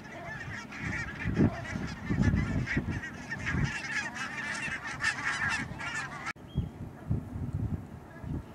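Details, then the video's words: Flock of barnacle geese in the Netherlands, Schouwen-Duiveland and Goeree-Overflakkee, 16 March 2009, giving a continuous babble of sharp barking yelps, many birds calling at once, with a brief cut near the end and steady low background rumble. "Bernache nonnette (Branta leucopsis)"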